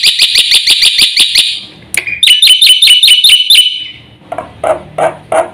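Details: Black-winged myna in vigorous full-isian song: a fast run of sharp, ringing, evenly repeated notes, then a brief pause and a second series of clipped, slightly bent notes, ending in harsher, noisy broad bursts.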